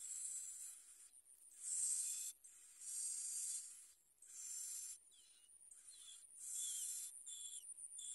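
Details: Bar-winged prinia adults bringing food to feed young at the nest: very high, hissing bursts about a second long, repeated with short gaps, then a few thin, quick whistled notes.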